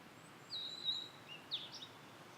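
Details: Blue-and-white flycatcher singing in satoyama countryside: a long, clear, high whistled note followed after a pause by a short, sharper whistled phrase over quiet background hiss.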